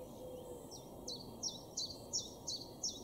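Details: Common chiffchaff, a garden bird in Weener, East Frisia, far northwest Germany, April 2022: seven quick, high, downslurred notes spaced about a third of a second apart, over a steady low background hum.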